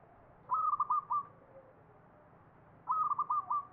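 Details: Zebra dove, known locally as perkutut, singing in the ngepat Mataram Jogja style. Two stuttering phrases of four or five short, mellow, stepped notes, each ending in a drawn-out final note, come about two seconds apart over faint hiss.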